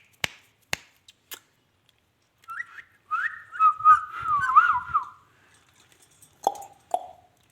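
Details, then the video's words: Indian ringneck parakeet, a talking pet, giving a wavering whistled phrase in the middle, rising and falling, with a few sharp clicks at the start and two short lower whistled notes near the end. "magical amazing ringneck talking"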